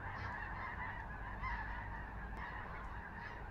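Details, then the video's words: Geese passing overhead in a large formation over Skagit Valley, Washington, Pacific Northwest; many honking voices blend into a steady, unbroken clamour, with low rumbling background noise. "Geese Flying Overhead in Large Formation"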